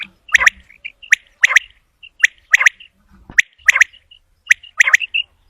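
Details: Common quail calling, the sound used for hunting quail: sharp, abrupt high notes, often in quick pairs or triplets, repeated about once a second with faint high peeps between them.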